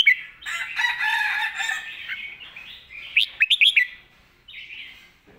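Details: Red-whiskered bulbul master song meant as a clear model for young birds. A broad, harsh, sustained call from another bird comes first, then a burst of quick, liquid, whistled bulbul notes and a short final phrase.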